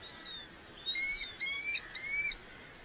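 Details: A Red-footed falcon calls at a nest in Polgár, Hungary, during the 2024 breeding season: three shrill, slightly rising, harmonic calls, each under half a second, spaced evenly, after a faint thinner note at the start.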